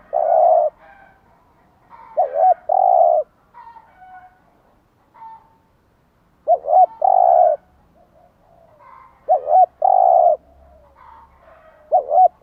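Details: Spotted dove giving its morning coo to prompt caged doves to sing: repeated phrases of quick double coos leading into a long mellow coo, four series with softer faint cooing in the pauses.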